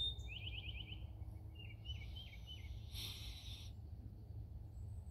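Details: Eastern Towhee sings a quick trill of about six sliding notes, then a few lower chirps, over a steady low rumble with a brief buzzy hiss; recorded in Indiana on April 3, 2021.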